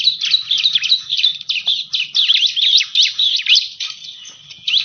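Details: Bar-winged prinia lure sound meant to attract birds: fast, excited series of high chirps and squeaky slurred notes, about three to four per second, loud and continuous throughout.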